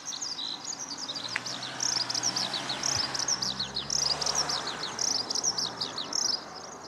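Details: Eurasian skylark at Okayama Airport's fourth parking lot, Japan, sunny 5 June 2013, Lumix camera recording; high twittering trills pour out continuously over a broad background rumble, possibly traffic, with low engine-like tones.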